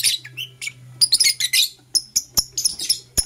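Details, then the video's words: Lovebirds of Blue Opaline and Parblue Euwing Opaline colouring chirp in the morning, giving bright, squeaky, high chirps and sharp clicks in uneven quick sequences, some notes clear and ringing, over a steady low hum. "Lovebird Chirping Sounds"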